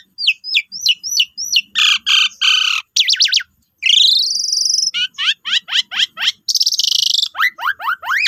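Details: Asian pied starling singing as a provocation lure for other starlings: repeated squeaky chirps, harsh grating bursts, a long rising buzzy note, then a rapid series of sharp rising slurs.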